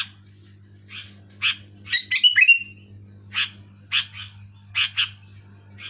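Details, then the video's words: Sooty-headed bulbul singing loudly and clearly: short buzzy chirps a second or so apart, then a quick burst of bubbly notes sliding down into a drawn-out whistle, over a steady low electrical hum. "Suara burung kutilang gacor keras jelas"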